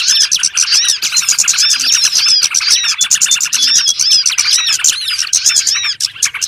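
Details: Lure call of small birds used for trapping: a dense, continuous chorus of many high, thin chirps and short arching whistles that overlap rapidly throughout.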